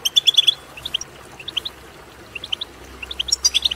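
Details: European goldfinch betbeta twitter meant to spur goldfinches into song; short bursts of sharp, tinkling chirps in clusters of two to six, separated by brief pauses, with a faint low hum beneath.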